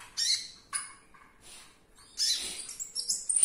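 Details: Olive-backed sunbird (konin), caged: harsh, high chattering bursts at the start, a short gap, then a longer scratchy twitter ending in a thin high whistle.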